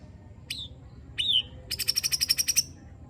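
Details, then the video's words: White-rumped shama with rough-fill 'tembakan' and 'besetan' phrases, played to rouse other shamas: two falling whistled notes, then a rapid high rattle of about ten buzzy pulses. "Tembakan Dan Besetan Murai Batu Isian Kasar Ampuh Memancing Emosi Murai Batu"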